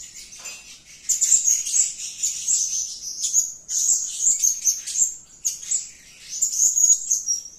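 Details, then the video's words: Blue-crowned hanging parrot giving lively calls: after a quiet first second, fast strings of high, sharp, piercing chirps come in repeated bursts separated by short gaps. "suara gacor si Sayap Kuning memanggil"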